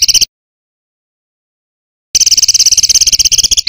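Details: Small songbird giving dense 'rapat' song for training caged birds: a brief trill, a long silence, then a rapid run of high repeated notes ending in a rising slur.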